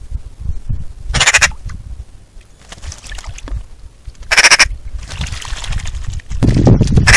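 A Eurasian magpie gives two harsh, rasping chatter bursts about three seconds apart, with low rumbling background noise throughout.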